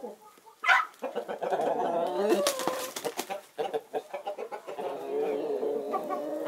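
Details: Naked Neck, Marans and Easter Egger chickens out in the winter sun, with a sharp squawk early on, then bursts of clucking and soft tonal murmurs over light scratching noises.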